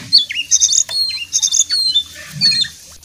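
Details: Jongkangan, brown form, singing energetically: short high whistles and downward-slurred chirps repeated in fast bursts over about three seconds.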